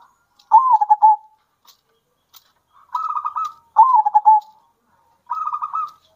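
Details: Local zebra dove, wild-type and farm-bred birds alternating, singing to provoke other doves and stir their excitement and breeding urge; four mellow, pulsed cooing phrases, each under a second, separated by short pauses, quiet background.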